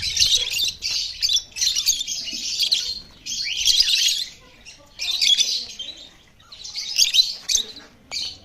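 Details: A pair of lovebirds giving dense, shrill, scratchy chirping bursts in clusters of about one second, broken by short pauses, with high rapid twittering throughout.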